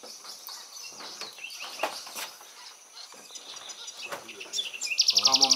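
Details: An amorous pair of Spectacled parrotlets at Laguna de Sonso near Cali, Colombia, on 9 July 2019, give scattered thin, high chirps, then a loud, rapid burst of harsh, buzzy chatter; faint voices in the background.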